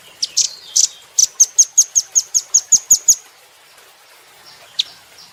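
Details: Velvet-fronted nuthatch, recorded as training material for cage birds. Scattered high chips lead into a rapid string of about ten piercing, evenly spaced notes. After a pause comes one lone chip near the end.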